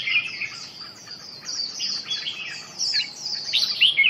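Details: Red-whiskered bulbul pouring out rapid twittering phrases, high sweeping whistles and sharp chirps tumbling together with barely a pause.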